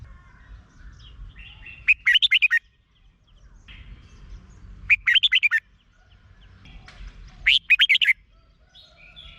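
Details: Thai red-whiskered bulbul song meant to excite caged birds: three lively, warbling phrases of several quick rising-and-falling whistled notes, repeated roughly every three seconds over low background rumble.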